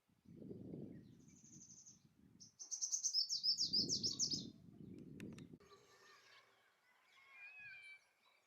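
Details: Male purple sunbird singing to attract a mate: very high, fast metallic trills in quick bursts, with low rumbling wind gusts and a fainter second bird near the end.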